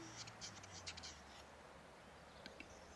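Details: Displaying male Western capercaillie in frenzied, "crazy" lek mode gives a quick run of dry, knocking clicks, then two sharper pops after a pause, over a low steady hum.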